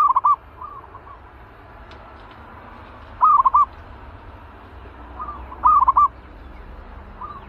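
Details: Caged, combative zebra dove being readied as a lure for trapping repeats short rapid rolling coo bursts roughly every three seconds, answered by fainter similar coos, with a low rumbling backdrop.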